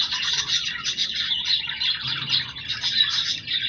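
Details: Budgerigars kept as pets chatter in a brief, busy burst of high twittering and raspy chirps, dense and continuous throughout.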